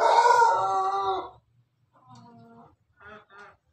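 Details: Pelung rooster crowing: a loud, harmonic-rich crow held for about a second and a half before fading, followed after a short silence by a quieter, shorter drawn call and then two brief clipped notes.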